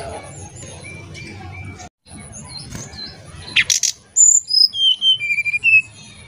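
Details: Oriental magpie-robin, nyuling-style lure sound. After a stretch of low background noise and soft whistles come harsh rasping bursts, then a bright series of flute-like whistles sliding gradually lower.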